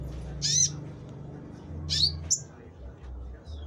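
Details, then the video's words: Konin singing: two sharp, high squeaky notes about a second and a half apart, followed by a quick short chip, over a steady low hum. "konin gacor"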